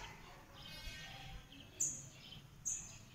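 Northern red bishop giving two sharp, very high chips about a second apart over a faint, sizzling buzz, with low background rumble.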